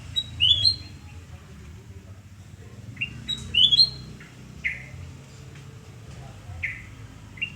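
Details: Sooty-headed bulbul singing in the morning at a home in Surabaya, Indonesia, on 29 November 2017: short bright whistled phrases with sliding notes, repeated every few seconds over a low steady background hum.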